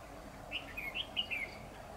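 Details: Red-whiskered bulbul decoy singing in competition while trapping on 10 October 2019; one quick phrase of five bright, slurred whistled notes in under a second over a quiet rural background.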